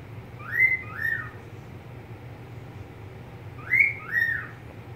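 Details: Pet budgerigar calling twice, each a quick pair of bright chirps that swoop upward then drop away, separated by about three seconds of quiet with a faint low hum behind.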